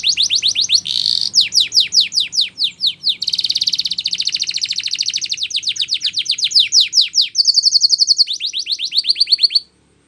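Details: Spanish Timbrado canary singing for training: rapid series of repeated downward-sweeping notes, then dense rolling trills and a brief high clear tone, phrases changing every second or two, strong and continuous.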